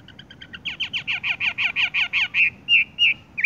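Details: Horsfield's bush lark in tung roll style song, somewhat distant: a quick train of about a dozen evenly spaced chirping notes, slowing into a few longer, rounder notes.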